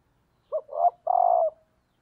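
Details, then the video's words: A decoy female spotted dove, calling to rouse males, gives a single phrase: a short clipped coo, a louder rising coo, then a long held coo that drops slightly at the end. The recording is quiet and clean. "cu mái gáy kích trống hiệu quả/ Chim cu mồi"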